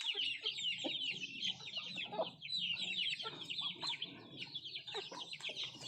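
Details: Native country chickens eating food give rapid, high-pitched peeps in an unbroken stream, with scattered low taps and rustles from feeding.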